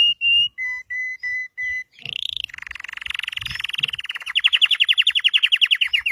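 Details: Red Belgian canary singing: a few clear steady whistled notes, then a buzzy rapid trill that swells into a loud, fast rolling series of repeated notes.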